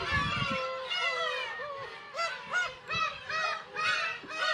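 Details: Black-tailed gull at the Kabushima breeding colony, Hachinohe, Aomori, Japan, 10 June 2020, chicks present; a close bird gives a series of short, arched, nasal mewing cries in quick bursts, with a busy gull chorus behind.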